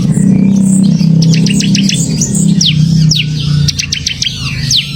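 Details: Bar-winged prinia in semi-active song, giving brisk sharp chirps and down-slurred high notes in short bursts over a loud low droning background.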